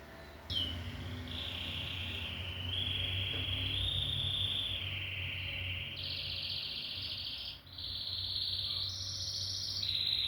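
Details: Canary in continuous song made of long held trills at shifting pitches. Smooth rolls alternate with higher pulsed sections, each lasting one to two seconds. Steady low hum sits in the background.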